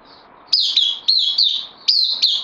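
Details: Caged bulbul, a newcomer on loan, recorded 12 September 2020, giving three bursts of sharp, high, slurred notes, each opening with a bright upward flick then a wavering whistle, separated by short pauses, in a quiet room.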